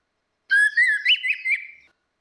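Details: Orange-headed thrush song, female and male used as a lure: a single whistled phrase of about one and a half seconds, steady then wavering with quick rising and falling slurs, nothing else heard.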